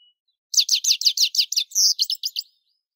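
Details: European goldfinch in loud, clear song: a fast series of about a dozen high, buzzy twittering notes, briefly broken by a drawn-out wheezy note before the rapid notes resume, with no other sounds.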